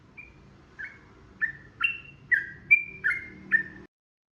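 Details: A yellow-vented bulbul (trucukan) delivers a ropel song: about eight slurred, whistled notes, falling and rising, repeated roughly every half second over a steady low background hum.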